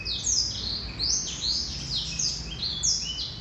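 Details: Singing male Black-throated canary: dense high warbling made of swooping falling notes and short rattles, delivered almost without gaps, with a faint low hum behind.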